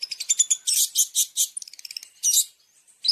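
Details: Long-tailed shrike masteran with champion fill (isian) for training caged birds: quick high chips and several harsh buzzy bursts in fast succession, ending in a short rising note.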